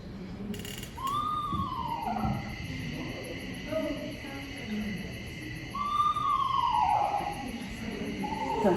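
A screech owl gives two descending, horse-like whinnies several seconds apart, with low room noise and faint voices underneath.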